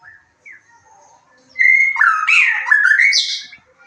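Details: Lure song of a white-rumped shama, played to boost emotion and breeding drive so another bird joins in; faint short notes, then a loud phrase of about two seconds of slurred whistles, rising sweeps and rough chatter.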